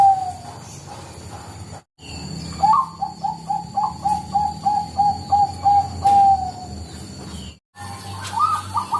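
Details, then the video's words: Lure recording of a Bangkok-type zebra dove: a quick, even string of about a dozen short cooing notes, preceded and followed by softer rising coos, with abrupt cuts and a constant background hum. "pancinga suara Perkutut Bangkok"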